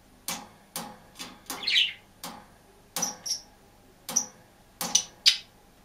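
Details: Green budgerigar alone in a cage, mixing soft clicks with a few thin, squeaky whistled chirps, quiet and irregular.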